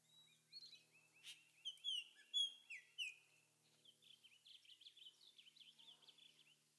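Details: Altamira oriole (Icterus gularis) building its nest in Reserva Natural Heloderma, Zacapa, Guatemala, giving short, clipped whistled notes and sharp chips, then a quicker run of rising and falling chatter notes over a soft low hum.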